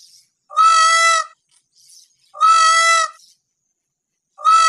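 A peacock gives loud, nasal, trumpeting wails, each about two-thirds of a second long, repeated roughly every two seconds.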